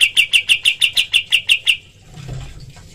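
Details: Cream-vented bulbul's rapid-fire 'tembakan' training call: ten quick, sharp chirps in even succession, then it stops, leaving a soft low rustle.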